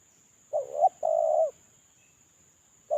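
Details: Spotted dove used to lure others, a caged decoy bird in moult, giving one full phrase: a rising, wavering short coo, then a long flat hollow coo, with the next phrase starting at the end.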